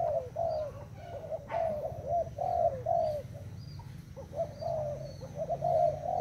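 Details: Spotted dove of Thai stock, cooing: a run of soft, low, slightly falling coos repeated in quick phrases, with steady low background hum.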